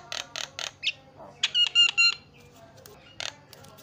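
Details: Javan myna (jalak kebo) fill-song phrase: a few harsh rasping notes, then three clear, level whistles in quick succession and one last harsh note.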